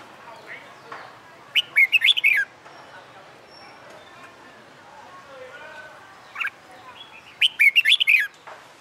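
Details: Caged, wild-caught red-whiskered bulbul newly singing after a month in a new cage, trained for fighting song: two short warbled whistled phrases, rising and falling, several seconds apart, with faint rustling between.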